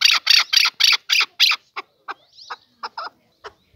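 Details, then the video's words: Male chukar partridge: six loud, rasping notes in quick succession, then a handful of shorter, quieter clucks spaced irregularly. "Kınalı erkek keklik sesi"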